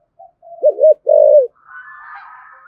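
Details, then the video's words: Spotted dove with a 'thổ sấm' voice giving urging 'thúc gù' coos. Two quick, low coos run into a longer hollow note, followed by a higher, buzzy hiss. "cu gáy thổ sấm THÚC GÙ và gáy gọi chuẩn nhất hiện nay"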